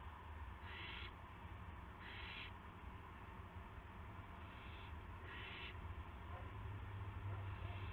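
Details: Owl on a live nest cam, evening of March 18, 2016, one bird arriving with a gopher for another; four short noisy hisses at uneven intervals against a low droning hum.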